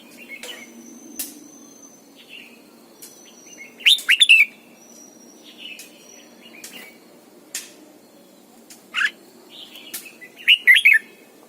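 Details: Caged decoy red-whiskered bulbul in morning song, double-note mature wild style: two loud rolling whistled phrases, faint softer song notes scattered between, and sharp clicks throughout.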